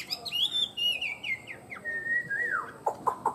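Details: Tame Chinese hwamei singing: clear whistled notes falling in steps, then a long level whistle that swells and drops, ending in three quick, lower clicking notes.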